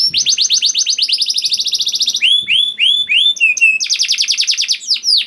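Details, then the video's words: Young canary singing as a prompt for canaries that are slow to sing: a rapid rolling trill, a series of curved slurred whistles, a brief steady note, then another quick trill. "PANCINGAN KENARI PAUD TERBUKTI AMPUH MEMANCING KENARI SUSAH BUNYI IKUT GACOR"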